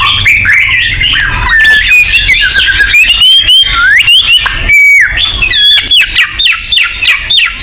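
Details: White-rumped shama song played as a lure to stir caged birds into singing: varied whistled slurs and rapid chattering notes, with sharp high upsweeps near the end.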